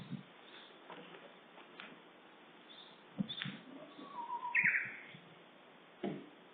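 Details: Japanese bush warbler singing in Uda, Nara Prefecture, Japan, on 10 April around 11:30: a low steady whistle followed by a quick, bright rising flourish, with faint high chirps and scattered soft knocks in the background.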